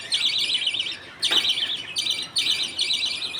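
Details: Budgies at feeding time, the father feeding millet paste to his two chicks, the mother watching. Warbling, buzzy chatter with one sharp, loud squawk near the middle and quick trilled bursts after.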